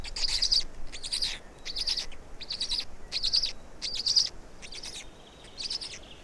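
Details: Estonian black storks during a feeding, 16 May 2019, 16:58; a steady series of raspy, wheezing bursts, each made of quick stuttered pulses, repeated a little more than once a second.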